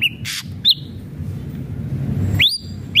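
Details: Ashy drongo giving a harsh rasping burst and a few separate sharp upslurred whistles, spaced irregularly, against a steady low background rumble.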